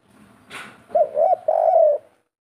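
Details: Zebra dove, known locally as tekukur, in kuk 3 style: after a short noisy rustle come two quick mellow coos and a long rolling coo that fades away, with a quiet background.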